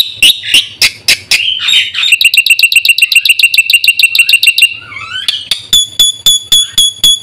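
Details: Caged-bird lure and training recording of a black-winged myna: sharp chattering notes, a fast buzzy rattle, a rising slur, then evenly spaced piercing pure whistles.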